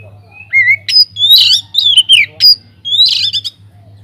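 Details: Kacer (white-rumped shama) singing lively in an aviary, a lure to prompt other birds to sing: a rising whistle opens, then loud sharp whistled phrases and buzzy trills, some slurring downward, in quick bursts; a low hum runs underneath.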